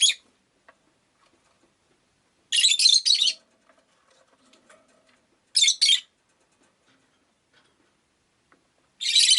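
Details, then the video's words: Rosy-faced lovebird (Agapornis roseicollis) giving harsh, high, buzzy chirp bursts of about half a second to a second, spaced a few seconds apart in a quiet room. "Lovebird Chirping Sounds"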